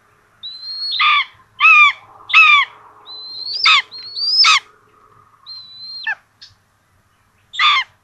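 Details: Common buzzard at a nest with two chicks in Tiszalök, Hungary, 26 June 2022, giving about seven calls in eight seconds: high thin whistles and hoarse, downslurred squealing notes at an uneven pace over a faint low hum.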